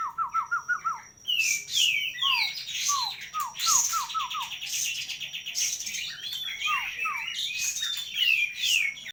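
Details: Sooty-headed bulbul opening with a run of lower, evenly repeated falling whistles, then breaking into a dense stream of high chirps, buzzy trills and scattered slurred notes over a quiet background hum.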